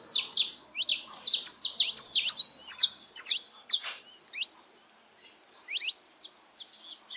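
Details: Flock of saffron finches in the wild: loud, crowded bursts of high chirps at the start, thinning to quieter, spaced twittering notes later.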